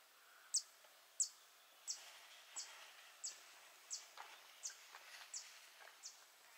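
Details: On July 14, 2022, at the mouth of the Soča river, a wood sandpiper gives a series of short, high, sharp pips, about one every two-thirds of a second, slowly fading, over a faint background hiss.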